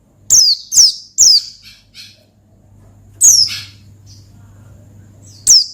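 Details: Ngalas song of an Oriental white-eye, played to provoke a rival: three loud, high, steeply falling notes in quick succession, a pause with faint hum, then two more sharp downslurred notes.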